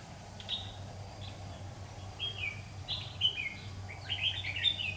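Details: Competitive song of a red-whiskered bulbul lure bird at a trapping session, 16 September 2019: bright whistled phrases with quick slurred notes, roughly one per second, growing louder toward the end, over a constant low hum.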